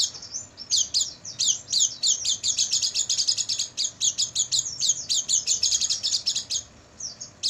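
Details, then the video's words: High, thin Oriental white-eye warbling recorded at night as training material for caged birds, starting softly, then an unbroken run of fast repeated chirps, then easing off near the end. "MASTERAN PLECI MALAM HARI,AGAR PAGI GACOR BUKA PARUH dan bongkar isian"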